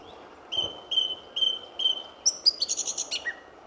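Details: Song thrush singing just before sunrise at RSPB Fowlmere, February 2014, with many others holding territories nearby; one clear whistled note repeated four times at steady intervals, then a jumble of high, scratchy, tumbling notes.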